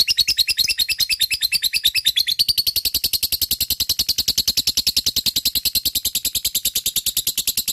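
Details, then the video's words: Ngekek from a fighter lovebird, used as a lure to make other lovebirds sing; a long unbroken rattle of rapid high buzzy pulses, the notes speeding up and tightening partway through. "Sangat bagus untuk pancing love bird malas bunyi,lovebird fighter ngekek gacor di jamin nyaut"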